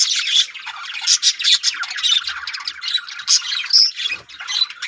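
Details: Many yellow budgerigars in a breeding colony chatter loudly in overlapping, warbled and squawky high notes with sharp whistled accents throughout.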